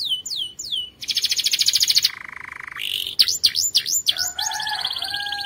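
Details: ["Canary training song, the bird's most powerful singing: downward-sweeping whistles open, then a fast buzzy high trill, a steady lower rolling tour, and sharp V-shaped notes ending in a level whistled phrase."]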